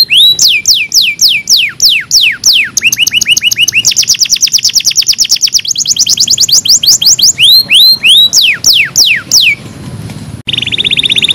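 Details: Canary song used as a training recording for canaries: fast series of repeated descending whistled notes, then rapid rolling trills and high buzzy tours, changing phrase every second or two.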